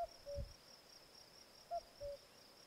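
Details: Common cuckoo (Cuculus canorus) gives two clear falling 'cu-coo' calls about two seconds apart, over a steady high insect trill.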